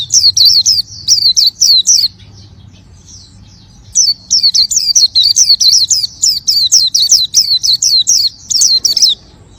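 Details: Oriental white-eye singing energetically: long, rapid series of loud, high, downward-curving chirps, a two-second pause, then another fast series of the same chirps.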